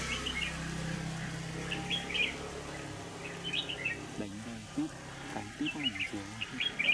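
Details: A red-whiskered bulbul at a trapping site using a decoy bird, Vietnam, 25 November 2018; repeated sprightly chirped phrases, with a low hum at first and a man talking in the second half.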